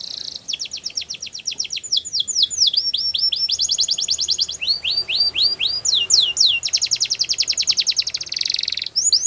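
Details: Sustained Belgian canary song made of fast repeated high syllables, alternating steady trills with series of upward-sweeping chips, each tour lasting about one to two seconds, ending in a dense buzzy roll.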